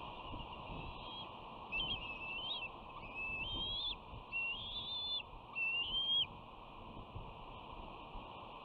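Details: Young bald eagle at a West End nest, June 2019, with one sister asserting dominance over the other, who has just dropped in from the camera housing while their brother watches. Clear, piercing whistles slide up and down in several separate phrases.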